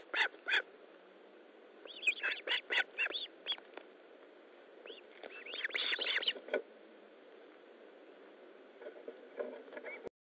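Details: Osprey at the nest during a fish delivery, 13 July 2012, 20:15: scattered short whistled chirps in small bursts, with a brief excited cluster of overlapping calls near the middle, then quieter pauses.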